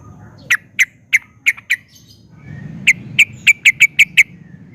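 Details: Yellow-vented bulbul, a lively singer used as a lure to make other bulbuls answer, gives two bursts of sharp, high chips, five then seven, spaced about a third of a second apart, over a low steady hum.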